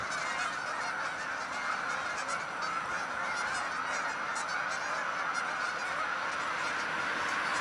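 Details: Hundreds of Canada geese taking flight, heard as a steady, unbroken din of overlapping honks, many birds calling at once at a constant level throughout.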